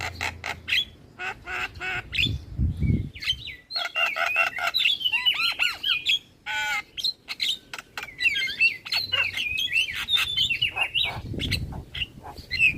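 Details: Javan myna song used to provoke replies from other starlings: a long, varied run of rattling clicks, squawks and wavering whistled phrases, with bursts of low noise in places.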